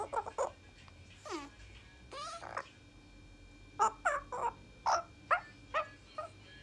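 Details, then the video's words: A francolin gives short, harsh, rasping notes in quick bursts, with a couple of longer falling squawks between them, against a quiet background. "Mr francolin sweet little voice"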